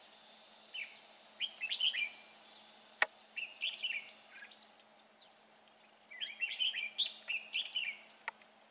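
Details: A red-whiskered bulbul father that is carrying food gives lively, chattering warbled phrases in two spells, rising and falling quickly. A sharp click comes midway, and a constant high droning hum runs beneath.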